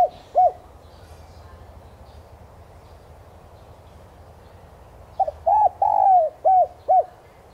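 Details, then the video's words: Spotted dove calls played as a lure to provoke other doves to call: a short coo near the start, then after a long quiet gap a burst of about six mellow, arched coos, one drawn out, over low background hum. "Tiếng chim cu gáy mồi chuẩn thúc kích bổi nhanh nổi hiệu quả"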